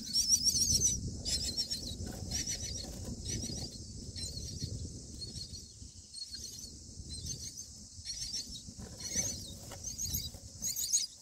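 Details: Common myna nestlings on day 9 in the nest, as the parents arrive to feed them grasshoppers, give rapid, high, hissing chitters in repeated bursts over a low rumbling background.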